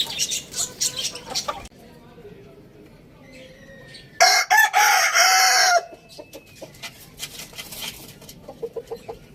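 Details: Rooster crowing loudly: one harsh, sustained, strongly harmonic crow lasting about a second and a half, framed before and after by quieter chirps and short clucks from other birds nearby.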